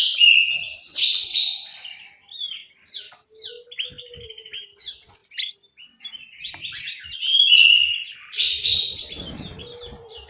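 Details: Aviary in Malang, East Java, with an orange-headed thrush giving loud varied whistled phrases, then softer scattered chirps and twitters, before a second burst of strong slurred song and some rustling.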